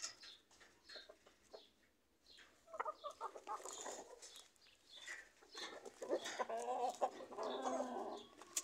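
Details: Roosters among chickens and chicks on a farm with fruit trees, natural ambient sound: scattered short calls at first, then a drawn-out harmonic, wavering crow-like call lasting over two seconds near the end, with light background chirps.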